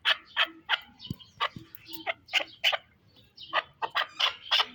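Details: Pamir chukar partridge giving a series of loud, harsh, clucking notes, each a short broadband burst, repeated about three times a second with brief irregular gaps.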